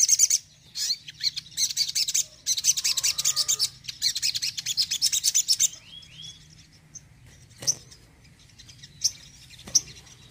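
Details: Tembakan song of a crimson sunbird: a rapid series of dense, high, buzzy chattering bursts in the first half, then quieter, scattered thin chips and a faint low hum.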